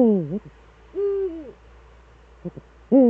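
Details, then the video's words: Eurasian eagle-owls, both back, Eifel region of Germany, 11 March 2013 at 18:47; a loud wavering low call, a smoother arched drawn-out note, two faint taps, then another wavering call. "beide Uhus wieder da.."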